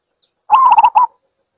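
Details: Zebra dove giving one short burst of rapid, stuttering coos, five or six clipped notes run together, then a last note; loud and clear against silence.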